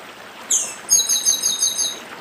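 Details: High, falling whistled note followed by a quick rattling buzzy trill from a papa-arroz of Northeast Brazil singing the 'dedim' style, with a faint water hiss underneath.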